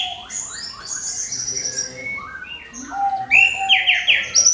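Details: Orange-headed thrush singing a clear lure song to set other birds singing: fast varied whistled phrases jumping between pitches, sliding notes and bright trills, growing louder toward the end.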